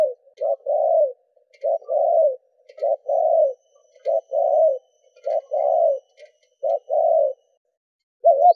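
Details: Repeated spotted dove coos for stirring captive doves: paired short and longer coos recur every second or so, with soft clicking noises behind and a final fragment.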